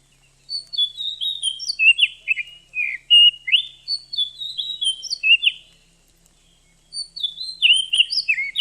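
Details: Female Oriental magpie-robin voice meant to draw a male into singing and heighten his breeding urge; a long run of bright, high whistled notes and sliding chirps, a brief pause, then the phrase resumes.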